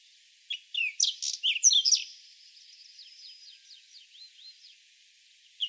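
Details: Whinchat song: a burst of scratchy, varied chirps and short whistles, then a thin run of rapid repeated high notes trailing off, with another brief note at the end.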